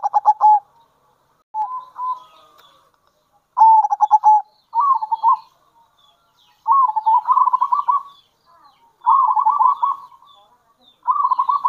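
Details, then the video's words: Local zebra dove calling as a lure, alternating sharp stuttered 'kerot' bursts with rolling trilled coos, phrases repeated every second or two with gaps between. "Panggilan Perkutut Lokal !! Perkutut Lokal Kerot Gacor Dan Bekur Ampuh Untuk Pancingan Perkutut"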